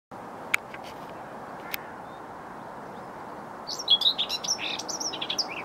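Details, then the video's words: Common whitethroat singing at 6.30am on an overcast Monday, 27 April 2020, beside a railway line in Bedfordshire; after a steady low rumble with two sharp clicks, a brief scratchy, chattering high-pitched phrase bursts out near the end. "Whitethroat Singing"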